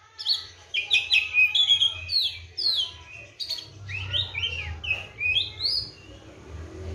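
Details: Oriental magpie-robin kept caged with seven crickets and morning and afternoon baths, singing energetic bursts of sharp chirps and rising whistled slurs, delivered in quick succession and steadily repeated, over a low hum.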